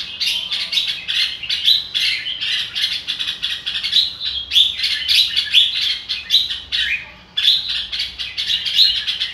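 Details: Red-whiskered bulbul giving "ro kích bổi" song, a near-continuous stream of quick, clear whistled notes and chattering trills, with a short break around seven seconds before the phrases resume.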